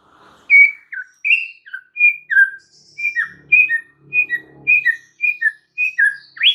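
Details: White-rumped shama singing to prompt silent birds: a steady string of short, clear whistled notes, each a little different, spaced about every third of a second.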